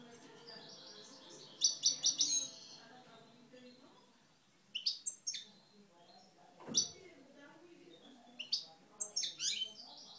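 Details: Algerian parva European goldfinches kept in cages sing aggressively in bursts of rapid, high, tinkling twitters and buzzy notes separated by quieter pauses, with a soft thump partway through.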